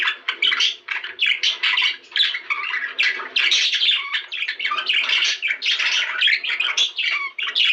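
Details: Budgerigars warbling to prompt mating: a continuous stream of harsh chirps, squawks and short whistled slurs, busy and overlapping throughout.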